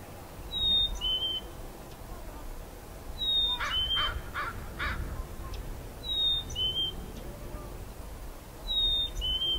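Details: A chickadee at Boundary Bay on 6 January 2018 whistles a clear two-note song, the second note lower, repeated about every two and a half seconds; a short run of harsh calls and a low outdoor rumble sit beneath.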